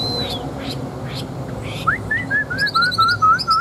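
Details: Caged Chinese hwamei, an old wild-caught fighting bird with a wild voice: faint chips at first, then a steady run of clear, slurred, slightly descending whistles, about three per second, over high chattering notes.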